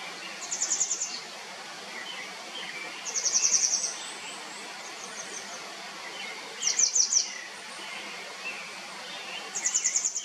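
Grey wagtail giving short bursts of sharp, very high, clipped 'tzit' notes about every three seconds over a steady rushing background.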